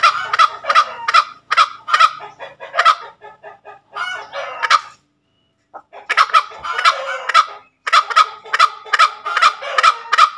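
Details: Ngekek call of a tame junglefowl: bursts of raspy cackling notes broken by a short pause and a brief silence, then the fast repeated series resumes.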